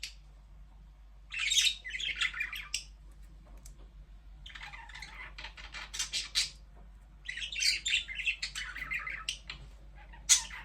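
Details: Budgies chirping: three bursts of busy, scratchy warbled chatter separated by quiet pauses, over a low steady hum.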